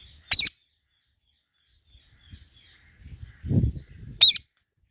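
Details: Ringneck parrot producing two brief, sharp, high-pitched screeches about four seconds apart, with faint low rustling and knocking noises in between.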